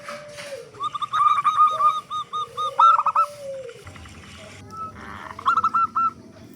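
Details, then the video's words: Local zebra doves with a big voice, used as a lure so other zebra doves start singing; quick staccato cooing notes in short bursts, with longer lower gliding coos from another dove between them. "Perkutut Lokal Gacor Suara Besar Pancingan Burung Perkutut Agar Cepat Bunyi"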